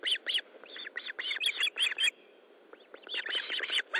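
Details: Osprey at a nest during a fish delivery, 13 July 2012, 20:15, gives rapid bursts of shrill, high chirping whistles in quick runs with short pauses between.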